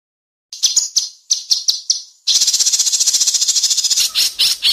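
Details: White-rumped shama at an Indonesian singing competition: a few separate sharp high chips, then a dense rapid rattle of buzzy high notes, ending with several spaced louder strokes, a 'masteran besetan' style delivery.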